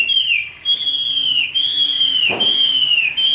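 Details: Chinese hwamei, caged and hand-raised, fighting song: long pure sustained whistles with slight downward dips, repeated, with a brief click at mid-clip.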